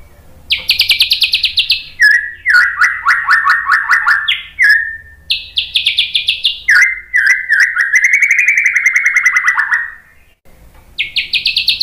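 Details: Long White-rumped shama performance from a tutoring and baiting recording: alternating high rapid pulsed trills and lower falling chattering runs, continuous and varied, ending in a brief pause before another high trill.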